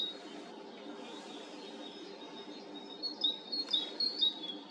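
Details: Tits singing early in the morning on 3 May, heard from a balcony. After a quiet start, a quick run of high, bright, ringing notes repeats over a steady low background hum.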